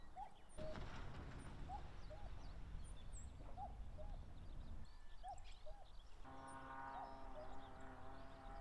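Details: In late May, on wide grassland below Mount Fuji in Japan, a wild common cuckoo calls during territorial disputes. Soft falling two-note cuck-oo calls repeat among small chirping birds. A low droning engine hum joins later.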